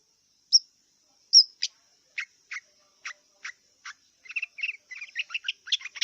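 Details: Wild long-tailed shrike song beginning with two sharp high chips, then evenly spaced dry clicking notes, building into a quicker jumble of short chattered and twittering sounds toward the end.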